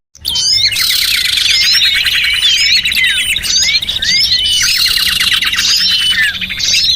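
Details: Small birds used as a lure sound to attract other small birds: a dense chorus of many overlapping high chirps, twitters and quick trills, continuous throughout, with sharp rising and falling notes layered thickly together.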